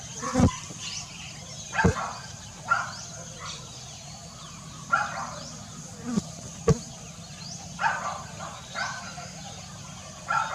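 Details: African grey parrot on 5 April 2020 uttering scattered short rasping calls, mixed with several sharp knocks or clicks, over a low background hum.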